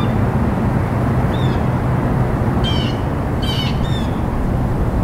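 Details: A soft blue jay note, then a cluster of harsh, buzzy calls in quick succession, over constant low background rumble.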